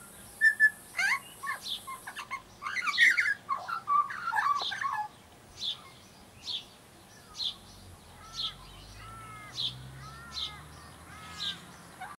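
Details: Baby Australian magpie practising song: an opening jumble of warbled and whistled notes, then softer, evenly spaced repeated chirps with a few looping whistles near the end.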